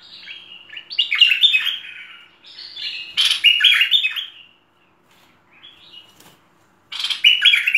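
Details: Cream-vented Bulbul (merbah lekir) giving a full-fill tutor song: bursts of rich, warbled, bubbling phrases wavering up and down, a short lull, then a fresh outburst near the end, over a quiet background.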